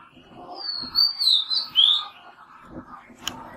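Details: Oriental magpie robin at a nest box on a balcony, where a pair nested and raised chicks; a run of clear whistled notes, some sliding downward and others rising, over about one second, with a faint low murmur behind.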